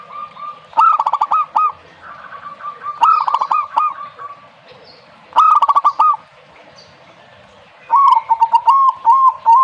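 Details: Zebra dove singing: four cooing phrases, each a sharp opening note rising into a fast, bubbling series of short notes near one pitch, repeated at irregular intervals of about two to three seconds against quiet background hiss.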